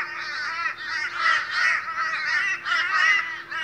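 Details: Australian crows gathered in the morning, calling boisterously; overlapping drawn-out harsh caws, several birds together, loudness swelling and easing in waves.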